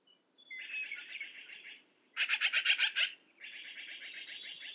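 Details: Rapid harsh chattering from a black-billed magpie in three runs, the middle run loudest, each a dry rattle of rasping notes about five per second.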